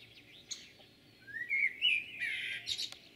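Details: Blackbird song from Jūrmala, Latvia, recorded 11 June 2022: a short rising whistled phrase ending in a bright, squeaky chattering flourish, clear against a faint low hum.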